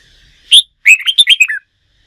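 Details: Red-whiskered bulbul, a wild-caught bird being trained for singing contests, giving a loud sharp note followed by a quick run of about six bright warbled whistles, rising then falling, in a clean quiet setting.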